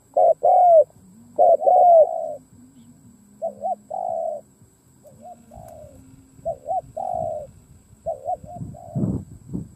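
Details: Decoy spotted dove cooing to lure wild doves: loud paired coos at first, then quieter wavering double coos and longer drawn notes, with a low hum and some knocking noises in the background.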